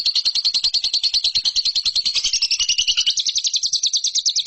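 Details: Lovebird song from a training recording for competition birds: a rapid rattling chatter, about ten harsh notes per second, rising slightly in the second half and continuing steadily throughout.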